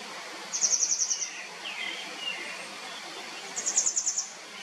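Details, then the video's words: Grey wagtail giving two quick bursts of about seven sharp, very high ticking notes, three seconds apart, with softer lower twitters between and faint background hiss. "노랑할미새 소리 Grey Wagtail"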